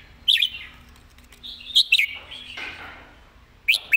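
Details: Song of a Red-whiskered bulbul meant for teaching birds: two loud whistled bursts with quick pitch bends, a softer warbled stretch between, then another phrase at the end.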